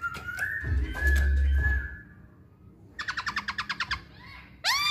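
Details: Masked laughingthrush singing to provoke other birds: a long steady whistle over heavy low rumbling noise, then a fast run of about ten sharp repeated notes and a rising swoop.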